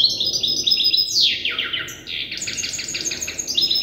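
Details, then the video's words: Young European goldfinch hybrid practising song learned from an older hybrid: quick, jingling high notes, a sharp descending slur, then a steady stream of bright twittering syllables. "تغريد هجين الحسون لازال في مرحلة الحفظ"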